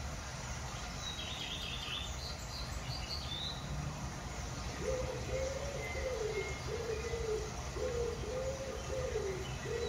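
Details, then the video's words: Sandhill crane in Land O'Lakes, Florida, giving a low, rolling, warbled rattle in repeated phrases through the second half, with thin high chirps from small birds earlier and steady background hiss. "Relaxing nature sounds Sandhill Crane"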